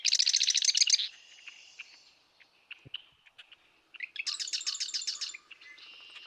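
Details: Marsh wren singing to advertise itself: two short, tight bursts of rapid buzzy, rattling notes, each about a second long, with an electric, mechanical quality and quieter chatter between.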